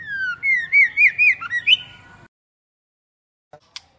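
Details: Female white-rumped shama used to provoke males: a falling whistle leads into a wavering, warbled run of sliding notes rising toward the end, then silence broken by two faint clicks.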